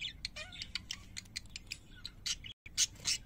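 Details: Quiet parakeet chatter of short squeaks and a low whistled slur, broken by a brief silence, then two louder harsh chirps.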